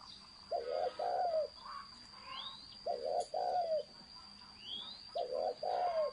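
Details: Spotted dove cooing in the thổ sấm style, three phrases, each a short doubled coo followed by a longer falling coo, about every two seconds; faint rising whistles from other birds between phrases and a steady high electronic tone.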